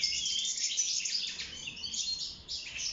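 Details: Goldfinch in a cage singing during mating and nest building, a brisk run of high twittering and trilled notes that softens briefly before resuming.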